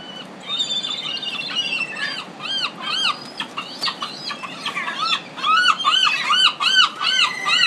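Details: Gulls in a Pacific city, calling over one another in a busy chorus: loud arched squawking notes repeated rapidly, some overlapping with longer drawn-out cries, with wingbeats and faint background noise.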